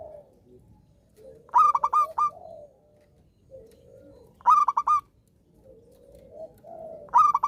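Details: Zebra dove, a local wild-type bird, singing readily: three coo phrases about three seconds apart, each a burst of quick clipped notes ending in a longer held note, with a soft low murmur between phrases.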